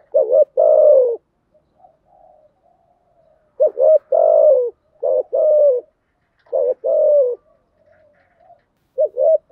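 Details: Spotted dove cooing, played to stir captive decoy doves into calling; low hoarse two-part coos, a short note then a longer falling one, repeated in bursts with quiet gaps and faint soft notes between.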